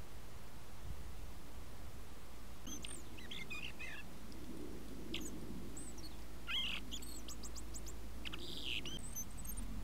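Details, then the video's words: A common blackbird sings very quietly to itself in the snow in late January, a faint string of varied squeaky whistles and twitters in short bursts, over a steady low rumble. "Amsel singt im Schnee leise vor sich hin, Blackbird is singing silently in the snow"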